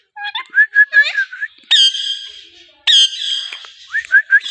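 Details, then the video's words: Green ringneck parrot, a talking pet in India, giving quick chirpy whistled notes followed by two long, harsh, harmonic screeching calls, then more short upslurred whistles. "Best talking parrot in India || green parrot natural sound || amazing talking parrot"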